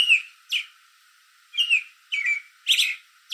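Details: At dusk an American robin perched in a backyard tree calls toward other robins: short whistled slurred notes in quick pairs, with brief pauses between groups.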